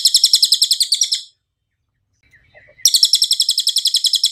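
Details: Cililin master song with clear sound, meant for training and soothing caged birds: a quick run of high, bright, pulsing notes, a short silence, then the same rapid metallic trill resuming.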